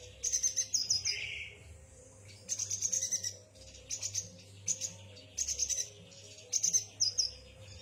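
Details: Song of a yuhina, made of bright, high chirping phrases repeated in clusters, plus one lower buzzy note near the start and a steady low hum in the background.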